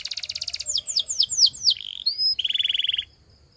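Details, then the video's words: Canary song that moves from a rapid trill into loud down-slurred whistles, a thin high whistle, then a low buzzy trill that stops abruptly. "The Incredible Sound Of This Special Canary"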